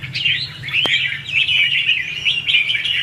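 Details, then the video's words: Red-whiskered bulbul in 'hót ché' contest singing, used to stimulate and trap other bulbuls: an unbroken stream of bright, wavering whistled notes with one sharp click near the start. "Chào mào Luyện giọng | Hót Ché - Xòe hay Đỉnh cao từ trước tới nay , Bẫy đấu Chim Chào mào"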